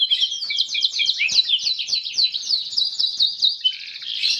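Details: Canary singing persistently in a unique cengkok style: a continuous, rapid, high-pitched trilled warble of fast repeated notes, running without a pause.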